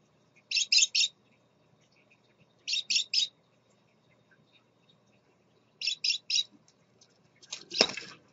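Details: Male scarlet-chested parakeet with his chicks, calling in evenly spaced bursts of three bright, high chirps, repeated about every two and a half seconds, ending with a brief rustle.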